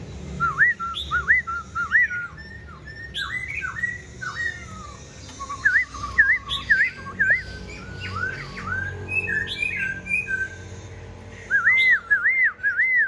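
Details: Caged, tame Black-throated Laughingthrush singing all day: repeated clear whistles, each rising then dropping, delivered in bursts with short pauses, some harsher chirps and squeaks between, over a low background hum.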